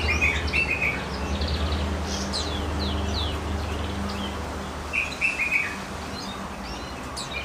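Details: Goldfinch mule delivering twittering song: short rapid trilled phrases and high slurred chirps, twice repeated, with a loud low mechanical hum underneath.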